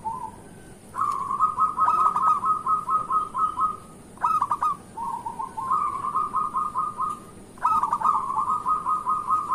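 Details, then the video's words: Zebra dove song for the morning, used as a lure to get other zebra doves singing: three phrases, each a quick hooked opening followed by a long, even, pulsing trill. "Perkutut lokal gacor pancingan untuk pagi hari"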